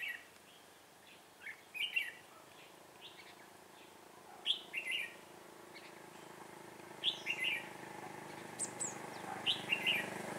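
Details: Red-whiskered bulbul kept as a decoy for trapping, 6 December 2016, delivering repeated brief lively phrases of fluty, chirping notes every couple of seconds, some faint and some louder, over soft background noise.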